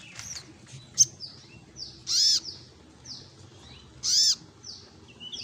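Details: Olive-backed sunbird, 'gacor ngleper' singing: two loud, high, ringing arched notes about two seconds apart, separated by faint thin sliding whistles over a low humming background.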